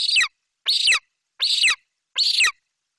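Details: Young golden eagle branching in its nest tree in Bucovina, late July 2021, calling excitedly as the adult female delivers magpie prey: four strident, high scream notes, each sliding downward, spaced less than a second apart.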